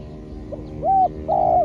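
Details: Spotted dove calling as a decoy during trapping. A faint short note leads into two clear mellow coos, the second longer and slightly falling, over a steady low hum.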